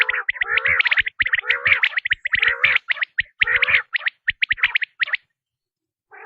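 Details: Quail calling, as used by hunters: dense raspy churrs laced with rapid high chirps for about five seconds, then silence before one last short burst.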